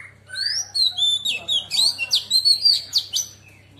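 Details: Female Oriental magpie-robin singing a wild-type song meant to excite rivals: a lower opening note, then a fast sequence of clear rising and falling whistles and crisp slurred notes, with a low hum throughout.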